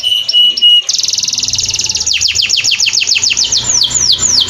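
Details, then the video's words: Singing canary as a training recording: three short chirps, a rapid buzzy trill, then a string of downward-sweeping whistled notes that gradually slow. "Masteran Burung kenari"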